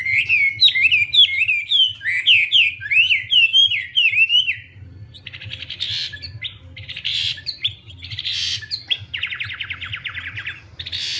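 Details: Wambi bird in energetic full song: a quick run of zigzag, slurred whistled notes for about four seconds, then quieter buzzy, trilled phrases with short pauses; a low steady hum underneath.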